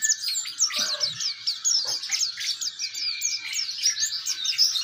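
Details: Oriental white-eye, a young bird learning its song, kept as a training bird for other white-eyes: dense, continuous high twittering of rapid chirps and short slurred notes, with a few faint low knocks in the background.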